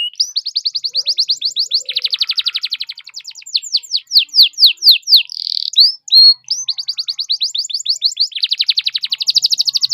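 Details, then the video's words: Canary song used as a pancingan lure recording to prompt other canaries to sing: fast high trills of repeated downward-sweeping notes alternating with dense buzzy rolls, continuous for the whole stretch. "PANCINGAN KENARI GACOR"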